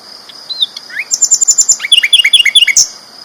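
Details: Sikatan londo flycatcher singing loudly: a few whistled slurs, then a rhythmic string of high chirps followed by a run of descending swept notes, about six to seven per second.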